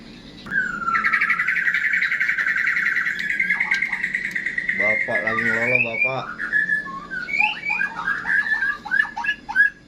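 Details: White-rumped shama, said to be ready for a song contest: a long steady whistled note, then a harsh rattling burst, then quick varied chirping phrases. A man speaks just before.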